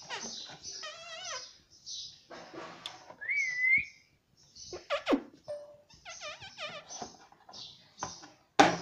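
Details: Pet Indian ringneck parrot making varied wavering squawks, a clear rising whistle and clicks, with background hiss and knocks between calls.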